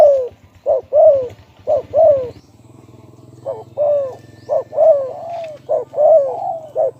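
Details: Spotted dove cooing loudly at close range, a run of short rounded coos in two phrases of about five notes each, several falling in pitch, over a low steady hum.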